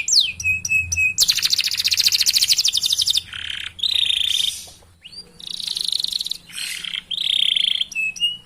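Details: Canary singing long chirps and rolls to prompt other canaries. Short whistles lead into a long, rapid rolled trill, followed by buzzy phrases and bright trills broken by brief pauses.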